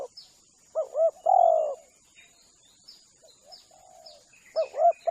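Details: Spotted dove lure call meant to attract wild spotted doves: low double-humped coos followed by a longer drawn-out coo, a pause, then the phrase begins again, with faint high chirps from other birds and a steady high hiss.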